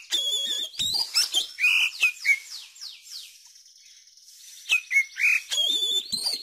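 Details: Oriental magpie-robin song played as a tutor recording for young birds: rich whistled phrases and downslurred notes, a softer scratchy stretch midway, then a renewed burst of loud varied whistles.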